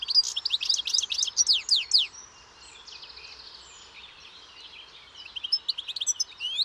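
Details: European goldfinch song opening with a loud burst of rapid, downslurred twittering notes for two seconds, then a quieter, fainter warbling stretch before bright notes return near the end.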